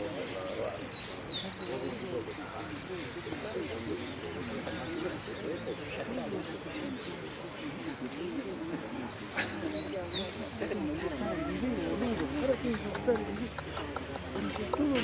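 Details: Finch placing third in the 'sin cierre' (song without closing) category at a singing contest in Merlo, 3 December 2017: bursts of high, rapid, buzzy trilled phrases early and again midway, over steady crowd chatter and men talking.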